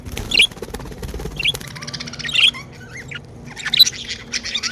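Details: Pet budgerigars said to be happy give scattered high chirps and a brief squawk-like burst, with clicking and rustling noises between calls and a faint low hum.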